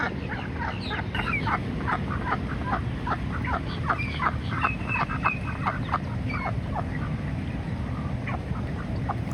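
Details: A female Pekin duck swimming and calling loudly non-stop to attract a male for courtship, which she succeeds in doing, gives quick runs of harsh, nasal quacks, three to four a second, over a steady low rumble.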